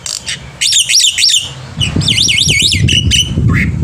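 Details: Black-winged myna in full morning song, used to tutor young mynas: rapid squawky notes followed by a run of quick wavering up-and-down whistles, over a steady low background rumble.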